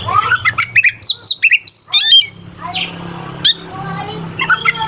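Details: Oriental magpie-robin singing to rouse rival birds: quick scratchy whistled notes and sharp upward slurs in a busy burst, then quieter scattered chips over a steady low hum.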